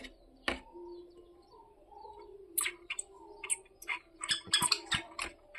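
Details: Early in the morning, two woodpeckers rap on a window's glass and wake a sleeper: sharp, irregular knocks, a single tap and then uneven clusters, over a steady low indoor hum.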